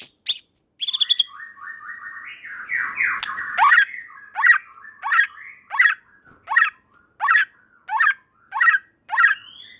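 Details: White-rumped shama singing to trigger replies from other shamas: a few sharp high notes and a wavering buzzy whistle, then a harsh rasping note repeated about every three-quarters of a second.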